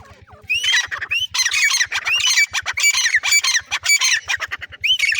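Female black francolin giving harsh, grating squawks in rapid bursts, several each second, over a steady low mechanical ticking.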